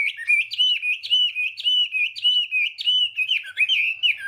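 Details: Chinese hwamei giving its morning training song, a steady string of sharp whistled notes, each flicking upward then dropping, repeated nearly twice a second with little variation, clean and clear.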